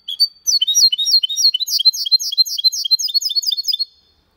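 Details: Goldfinch × canary hybrid singing clean Malaga-style copy without errors: after a brief opening note, a fast continuous run of bright, sharply slurred whistled notes, rising and falling, delivered at about four per second for over three seconds.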